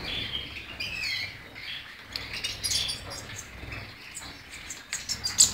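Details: European goldfinch song, softer at first, then rapid high twittering with chirps and buzzy notes growing louder toward the end.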